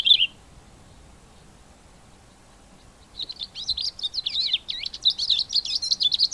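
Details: A male Cape grassbird sings at the start of the breeding season in September, in spring: a single high note, then after a pause a fast, jumbled, scratchy warble of high rising and falling notes lasting several seconds.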